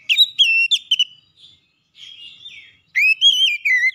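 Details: Oriental magpie-robin singing to rouse a rival: crisp clipped whistles, a soft buzzy warble in the middle, then a loud run of rising and falling whistled notes.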